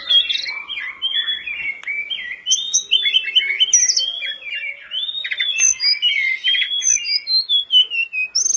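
A hill blue flycatcher sings a fast, rambling warble of clear high whistles, slurred notes and brief trills, run together almost without pause.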